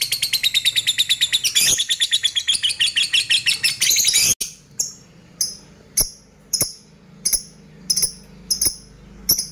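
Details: Lovebird used as a lure: about four seconds of fast, high, grating ngekek chatter, then sharp high ticking notes spaced roughly every two-thirds of a second over a faint low hum.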